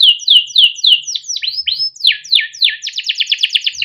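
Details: Young canary in captivity singing as a tutor for juveniles; evenly repeated downslurred whistles, rising and falling sweeps in the middle, ending in a very fast, tight trill.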